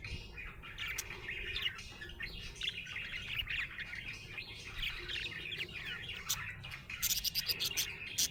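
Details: Happy budgie twittering in steady warbled chatter, ending with a quick series of sharp clicking sounds.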